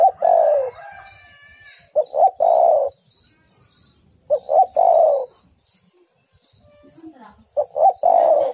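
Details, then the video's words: Female spotted dove calling to a male. Three repeated coo phrases, each two quick clipped notes leading into a drawn-out burry coo, about three seconds apart. Faint high chirps from other birds sound behind. "Tekukur super gacor betina memanggil jantan pasti nyaut"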